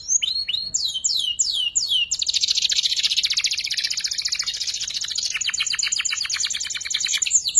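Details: Young canary rehearsing ngeriwik twitter as a training lure for murai and kacer: several falling swept whistles, then a long, loud, buzzing high trill that becomes more broken and pulsed.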